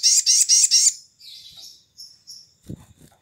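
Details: Sogon, named as sooty-headed bulbul, in a morning lure recording meant to make other birds sing: a loud, very high buzzy trill of four rapid pulses, then softer thin whistles and a brief low thump.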